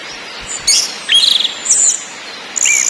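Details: {'text': 'Orange-headed thrush singing in a ngakrak, ngeplong and nyiul lure track: loud high-pitched phrases of warbled notes and descending slurs, in four bursts with short silent gaps between.'}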